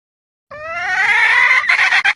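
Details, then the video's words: Female red junglefowl calling: a single long, harmonic-rich squawk rising slightly and held for over a second, breaking into a few rough, choppy notes at the end. "เสียงไก่ป่าตัวเมีย ไก่ต่อ ສຽງໄກ່ປ່າໂຕແມ່"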